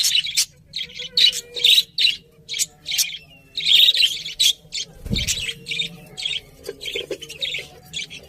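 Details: Budgerigars chirping: bright, scratchy warbles and squeaky chirps in quick irregular bursts, with a brief low thump midway.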